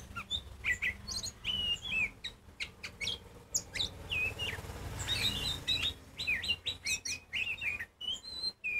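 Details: Loud Oriental magpie-robin song aimed at provoking other birds into calling: rapid varied phrases of sweet whistles, downslurs and sharp chips, delivered in quick bursts, with a brief noisy hiss midway.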